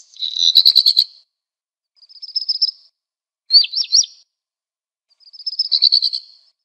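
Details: Black redstart singing four high, scratchy phrases with gaps between them: a dense buzzy burst, two softer crackling trills and a quick zigzag whistled figure; quiet, clean background.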